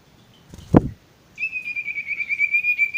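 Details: Song of a male sirtu, meant as a masteran for newly caught or stressed birds that stop singing: a dull knock, a pause, then a long steady high whistle that wavers in rapid pulses.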